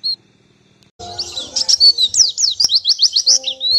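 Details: Oriental white-eye training master song: after a short silence, a quick high twitter breaks into a fast string of downward-sweeping whistled notes, about two per second becoming denser, over soft low background tones.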